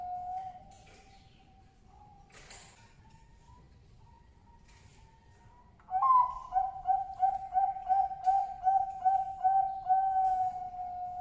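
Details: Male Bangkok-type zebra dove calling to lure females: after a faint steady low tone, a loud rapid run of short soft cooing notes begins about halfway through, roughly a dozen pulses in even rhythm.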